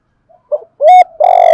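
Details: Loud spotted dove coo in the thổ calling style, used to provoke wild doves: a faint opening, a short note, a strong rising coo, and a long rich sustained final coo that breaks off abruptly.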